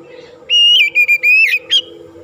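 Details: Kacer, the Oriental magpie-robin, in lively 'gacor' song meant to rouse other kacer: a rapid run of bright whistled notes, a long held whistle, then a final sharp note over a low steady hum.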